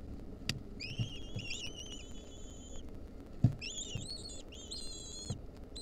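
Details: Lesser kestrel chicks in a wild nest, 2023, as their mother brings a mouse; long level whistles alternate with quick wavering whistled notes, with soft knocks and rustles from the nest.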